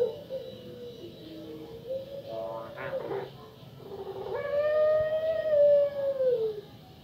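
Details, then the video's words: Female puter pelung dove, used as a lure to make other doves call. Soft low notes and a rough, noisy burst give way to a long, clear, drawn-out coo that swells and then slides down at its close. "Puter Pelung Suara Mengerikan (Cocok Untuk Pancingan Agar Puter Pelung Kalian Bunyi)"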